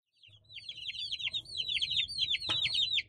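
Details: Small country chicken chicks peeping: a fast stream of high, downward-slurred cheeps, several overlapping, about three per second, with a brief soft click partway through.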